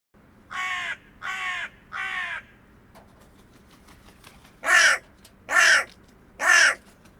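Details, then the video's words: Hooded crow (Corvus cornix) in the wild calling in two bursts: three hoarse caws in quick succession, a short pause with soft clicks, then three louder, harsher caws, roughly one per 0.8 seconds. "Hooded Crow Sound – Song & Bird Calls"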